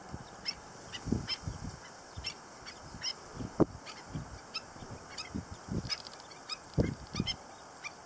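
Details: Stilt chicks calling at LaRiviere Marsh: many brief, thin, high peeps repeated irregularly, several per second at times, over steady low rumble and soft thuds.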